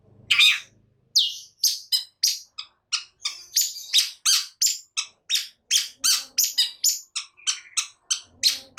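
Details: Agitated caged long-tailed shrike giving a fast run of short harsh scratchy notes and squeaks, about three per second, continuing throughout.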